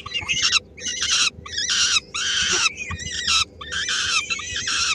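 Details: Three-week-old peregrine falcon chicks and the female at a Helmond nest on 13 May 2016, food being shared and grabbed. Coarse, rasping shrieks in uneven bursts, some with wavering tones, pauses between each.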